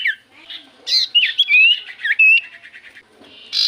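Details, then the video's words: Lure recording of a common iora singing to provoke answers from other birds: mixed chirps, a long clear whistle and a sliding note, followed by a buzzy rattling trill and a harsh burst. "Pancingan Burung sirtu cipoh gacor sekali putar Burung sirtu cipoh Diam Langsung nyaut"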